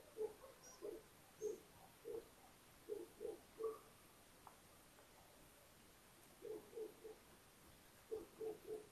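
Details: Little owl nest in a Hungarian attic at Tiszalök, close to Hortobágy National Park, spring 2022, with four owlets just hatched; low soft notes in short runs of two or three, a pause midway, then further clustered notes.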